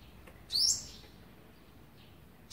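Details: Olive-backed sunbird on the eleventh day of feeding its young, 27 November 2019: one sharp, high, rising thin note, then the start of a second at the very end, over a quiet, faintly hissing background.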